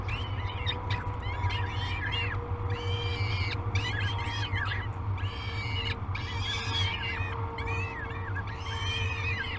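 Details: Peregrine falcon chicks calling at feeding time, Great Spirit Bluff, 22 May 2020, nest cam recording: rapid series of short, harsh, arched wailing notes, repeated in bursts roughly every second, with a constant low hum and faint tone beneath.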